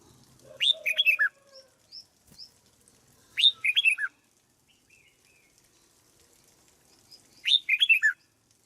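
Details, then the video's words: Caged red-whiskered bulbul kept as a decoy bird and trained to get into peak form: short bright phrases of a sharp rising note then quick descending whistled notes, given three times several seconds apart, with faint lower chirps between. "Cách chăm chào mào căng lửa nhanh hiệu quả nhất, cách dợt chào mào mồi"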